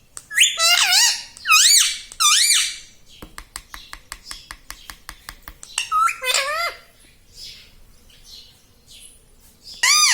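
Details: Chatty pet parrot imitating human words such as "Mummy" and "Papa": repeated loud, swooping, nasal syllables in pairs, separated by a long series of dry ticking clicks, with a final squawk at the end.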